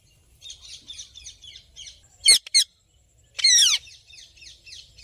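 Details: Indian ringneck parakeet described as happy, giving loud harsh screeches and descending squawks between soft repeated chirps, with quiet twittering throughout.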